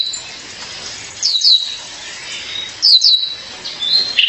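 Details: Female violaceous euphonia calling her partner: repeated pairs of high, sharp downslurred notes, each pair followed by a thin level whistle, recurring roughly every one and a half seconds in a quiet setting.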